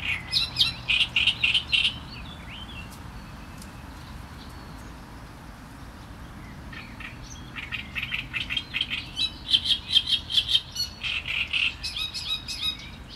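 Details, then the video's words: Harsh, grating song of a Great reed warbler: a burst of repeated rasping syllables, a pause of several seconds, then a longer, louder sequence of chattering, repeated notes. "Trzciniak i jego śpiew"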